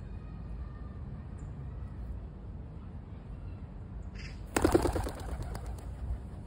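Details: In Hamburg, Germany, after a quiet, low rumbling stretch, a Eurasian Jay gives a harsh, rasping alarm screech near the end, warning of a predator, possibly a buzzard, then a shorter echoing burst.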